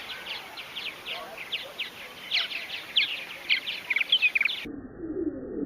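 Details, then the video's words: Chattering Purple Martins at a large backyard colony in Finger, Tennessee, giving rapid, overlapping high chirps and gurgling notes, growing denser and louder toward the end, before a brief drop into slowed-down, lower-pitched audio. "slowed down audio of Purple Martins voice calls"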